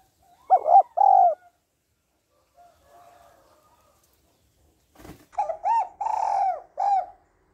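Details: Female spotted dove calling to stimulate the male, used as a lure call: two phrases of mellow cooing, short looping notes followed by a longer drawn coo, with soft faint coos between and a single sharp click.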